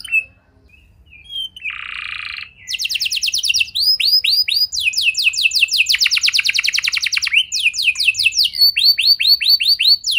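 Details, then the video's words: Canary lure song meant to set other canaries singing: a soft buzzy note, a flat nasal buzz, then fast high trills of rapid descending sweeps and rolled phrases that run steadily to the end. "Pancingan Burung Kenari Biar Gacor Lagi!"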